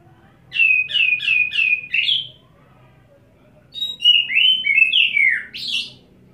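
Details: Kacer (Oriental magpie-robin) singing from one perch in wet-setting condition: four evenly spaced whistled notes and a rising slur, a pause, then a tumbling run of falling whistles closing with a buzzy note over a low background hum.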